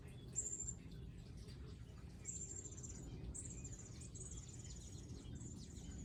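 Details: High, thin whistled notes drawn out for about half a second each, repeated at irregular intervals by wild birds visiting a garden feeding area with seed feeders and water, over constant low background rumble.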